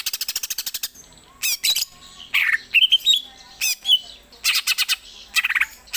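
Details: Greater green leafbird at home delivering song variations such as the Gereja Tarung. Machine-gun-like chattering rattles alternate with buzzy churrs and a few clear, high, upslurred whistles in a fast, varied sequence.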